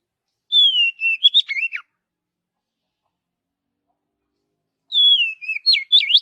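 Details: Oriental magpie-robin in natural forest song: a whistled phrase that falls, then ends in rapid sharp up-and-down notes. After a silence of about three seconds it is repeated almost exactly.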